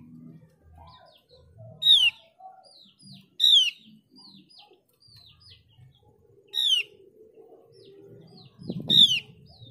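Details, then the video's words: Mees's white-eye, a bird found only on Java and Bali, used as a lure to prompt other white-eyes to sing: loud, sharp, falling whistled notes repeated every one to three seconds, with softer chirps and low background murmur between. "Pancingan opior jawa biar gacor dijamin opior jawa bahan dan opior jawa ombyokan pasti nyaut"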